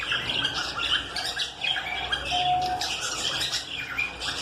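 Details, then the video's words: Lovebirds squawk and chatter in a dense, harsh flock chorus of shrill, overlapping calls, with one brief clear whistled note among them. "লাভবার্ড পাখি। Love Bird"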